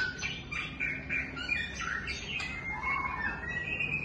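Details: Softer White-rumped shama song of short whistles and slurred notes over a noticeable background hiss, ending on a long, steady high whistle.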